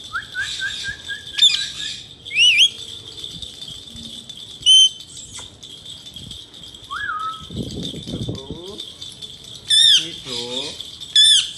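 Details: Male Indian ringneck parakeet with a run of low stepped chirps, sharp wavy whistles and clipped squawks spaced over several seconds, plus a burst of low rattling noise midway and a steady high hum.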